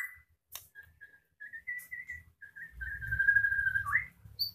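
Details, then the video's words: Caged blorok white-rumped shama, molting with tail still growing, in active gacor song: a series of short clear whistled notes at steady pitch, then a long sustained whistle ending in a quick upward sweep, with low rumbling background noise. "Murai Batu Blorok Extreme Gacor"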